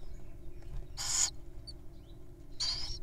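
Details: Wild owls at feeding time giving two harsh, breathy screech-hisses, each about a quarter second long and spaced a second and a half apart, with faint bird chirps behind.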